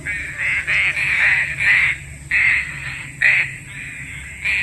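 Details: Green pigeon call used as a lure for trapping: a run of loud, short, hoarse nasal notes bunched in uneven groups, a few brief pauses between them, over a steady low electrical hum and a thin high whine.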